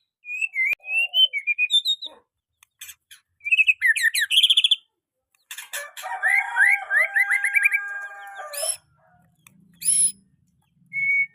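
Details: Young white-rumped shama singing as training material for other birds: wavering whistled phrases, bursts of quick buzzy notes, a rapid trill of slurred notes, and a few loud, high, sharp calls near the end.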